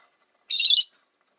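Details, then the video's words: Rosy-faced lovebird, one of five caged near a window, letting out a single harsh, rasping high screech lasting under half a second, otherwise quiet. "Lovebird Chirping Sounds"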